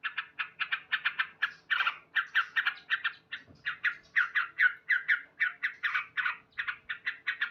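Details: Male yellow-vented bulbul singing loudly each morning, a rhythmic run of clipped chattering notes, roughly three to four per second, over a faint steady hum.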